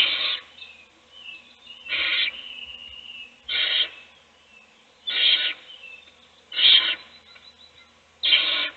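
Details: Owl in a nest box feeding a chick while its siblings sleep; six harsh hissing bursts at uneven intervals of one to two seconds, with thin wavering squeaks between.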